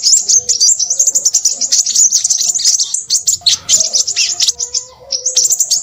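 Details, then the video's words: High, rapid chattering song of a crimson sunbird in a noisy burst: continuous sharp twitters and trills, briefly softer around four and a half seconds before resuming. "burung sepahraja ribut"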